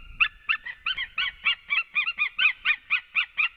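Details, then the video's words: Male and female white-tailed eagle reunited at a nest in Latvia, March afternoon; steady string of ringing yelps, roughly four per second, clean with little background noise. "Male came in Happy reunion"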